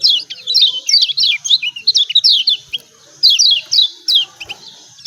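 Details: Yellow white-eye of Lombok (pleci) in 'ciak ciak' calling that serves as a lure for lazy singers: rhythmic high descending chirps in quick succession, a gap near the middle, then further evenly spaced chirps.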